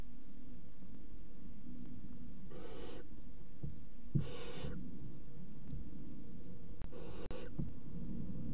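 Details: Night feeding of three barn owl young sharing a mouse, 01:30, 30 June 2016. Three harsh, hoarse, hissing screeches about half a second each are spaced roughly two seconds apart over low background rumble.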